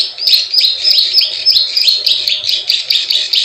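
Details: Plain prinia calling in the 'klik klik ciwah' style used as a lure for wild birds: bright, buzzy chirping notes with sharp high clicks, delivered in a steady chattering series.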